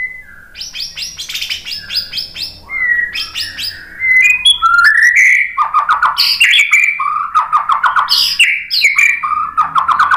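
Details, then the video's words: White-rumped shama song used as a lure to provoke other birds into singing: varied loud whistled and buzzy phrases, rising and falling notes, rapid chattering runs and repeated slurred whistles, steady faint low hum beneath. "Kicauan MURAI BATU bikin NYAUT ikut BUNYI GACOR BONGKAR MATERI ¦ PANCINGAN MURAI"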